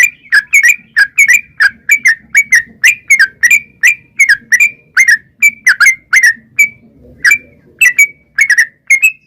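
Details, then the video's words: Yellow-vented bulbul (trucukan) in a long rapid 'ropel panjang' chattering song, said to be a female calling a male and used as a lure to make wild birds answer: bright whistled notes rising and falling, repeated about twice per second. "trucukan gacor ROPEL PANJANG"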